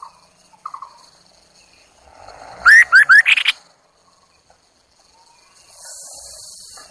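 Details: Chinese hwamei kept as a decoy bird for luring, giving a short burst of four loud, rising whistled notes in quick succession midway through, with near silence and faint hiss elsewhere.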